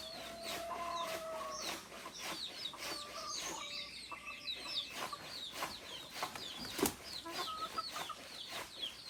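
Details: Native chickens, including rooster and hen, in a busy flock: many high, quick downslurred peeps overlap with drawn-out steady tones near the start and scattered low clucks, with a sharp loud click near the end.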